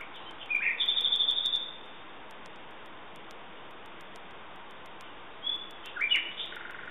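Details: Common nightingale song: a rapid run of very high, evenly spaced ticking notes, then a long pause of hiss before a few sharp falling whistles return near the end.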